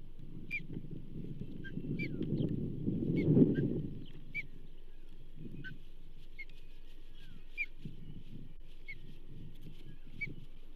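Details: Osprey at the Charlo nest on 15 June 2024 during a bull trout fish delivery: a series of short, sharp high chirps repeated about once a second over steady low rumbling background noise.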